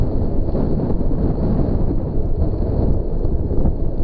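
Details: Heavy wind buffets the microphone in a continuous deep, loud rumble.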